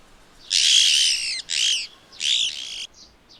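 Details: Slaty-headed parakeet perched on a sunflower in soft morning light, eating its seeds, gives three harsh, screechy high calls, the first longest, each under a second, with a faint chip after.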